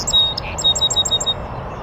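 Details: Song Sparrow in a bush on an oak savanna in the northern USA, near a beaver pond, giving a sweet high note, then a quick evenly spaced series of five bright chipping notes over a steady low hum.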